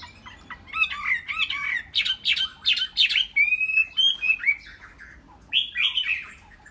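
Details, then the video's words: Tame caged Chinese hwamei singing a run of loud, rapid, slurred whistled phrases, each note swooping up and down, packed closely, then a few longer sweeping notes after a brief pause. "Chim Họa Mi cb2231 đẹp thuần"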